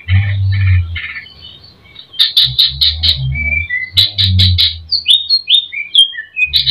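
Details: Greater green leafbird provoking song packed with fill-in phrases: clipped buzzy notes, then bright sharp whistles and quick downslurred and upslurred slides, some loud chip bursts, over a low rumbling thump.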